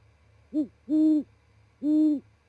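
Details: A Great horned owl pair in Charlo, Montana, talks at dawn (07:25, 16 January 2018) after the male, then his mate, arrive at the perch before roosting: deep, soft hoots, one short note then two long even ones about a second apart, faint low hum.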